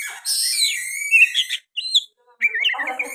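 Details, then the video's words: Oriental magpie-robin in energetic song laced with sooty-headed bulbul phrases: a long, bright, wavering whistle with buzzy upper overtones, then a short break and a clustered series of chattering, warbled notes. "KICAUAN KACER GACOR MBESET ISIAN KUTILANG"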